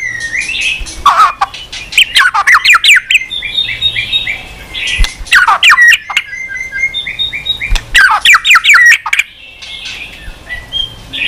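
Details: White-rumped shama, provoked to sing at length. Dense bursts of rapid chattering and whistled notes recur every few seconds, with softer stepped whistles filling the gaps.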